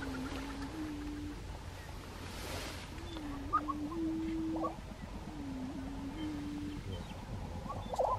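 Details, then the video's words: Grouse displaying at a lek in Colorado, 2023, giving three long, low, humming tones, each lasting over a second with a slight rise partway, separated by pauses, over soft background noise and distant higher notes. "Colorado Lekking Grouse"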